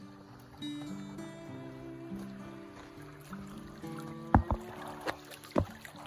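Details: Soft instrumental music with sustained low notes, broken by a few sharp knocks and clatters, and no animal calls are heard.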